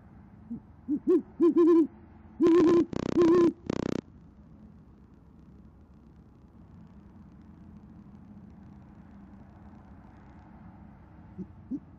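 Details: Evening at an Oklahoma City great horned owl nest, January 2014, the female calling her mate: a cluster of low hoots with crackling noise bursts in the first four seconds, then quiet rumbling background and a faint hoot at the end.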